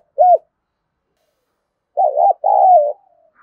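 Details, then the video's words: Spotted dove fighting coo used to lure wild doves: one short arched note, a pause of over a second, then a wavering double-humped phrase and a drawn-out coo that fades downward. "Tiếng chim cu gáy thúc đấu kích bổi"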